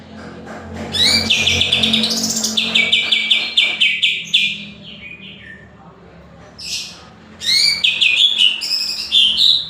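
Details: Greater green leafbird giving a long rapid string of high chirps and trills, a brief pause, then another fast burst of bright notes.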